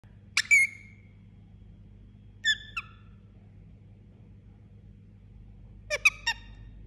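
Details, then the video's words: Sleeping Indian ringneck parakeet giving three short bursts of squeaky, harmonic chirps spaced a couple of seconds apart, with a low steady hum underneath in a quiet room. "Cute Sleeping Parrot Making Sound"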